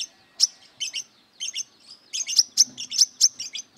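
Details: Aggressive brown-throated sunbird singing while seeking rivals to fight: sharp, high, metallic chips, some in quick pairs, irregular at first and then coming faster and closer together toward the end.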